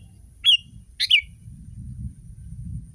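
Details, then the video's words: Sooty-headed bulbul tutor recording used to get other bulbuls singing along; two short bright whistled notes, the second a quick double slur, over a steady low rumble. "Masteran kutilang"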